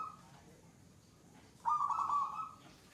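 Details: A wild-caught local zebra dove (perkutut) gives a short soft note, then a rolling, slightly wavering coo about a second long over faint hum; an example of the "gacor" singing stage, marked by long-lasting sustained calling.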